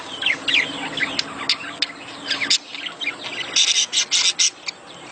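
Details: Budgerigar mating calls to get a female laying: soft chirpy warbling in the first half. This is followed by a run of loud, harsh, clicking squawks repeated at roughly two to three per second.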